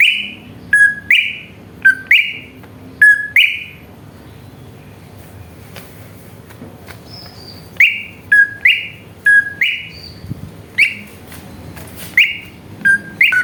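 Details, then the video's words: Greater green leafbird song used to goad other birds into singing: loud paired whistled phrases, a sharp note then a rich whistle, repeated in bursts, with a quiet gap mid-clip. "PANCINGAN CUCAK IJO BIAR EMOSI JAMTROK"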